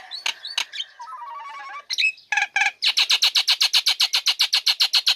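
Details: Female Nias hill myna uncovered in its cage and singing immediately, used as a lure to start lazy birds singing; whistles and a low warble lead into a steady series of rasping notes repeated about four times a second.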